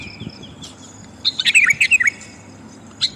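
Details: Female sooty-headed bulbul calling the male, a lure recording: faint thin notes at first, then a short loud burst of about eight quick bubbly chirps dropping in pitch, and one last squeak.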